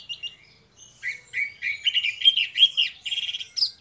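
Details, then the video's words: Morning song of orange-headed thrush, duo of birds: a run of clear whistled notes climbing and falling around mid-high pitch, with quick chirps layered above, closing in a bright rising flourish. "DUO ANIS MERAH NGEPLONG GACOR, PANCINGAN ANIS MERAH BIAR BUNYI"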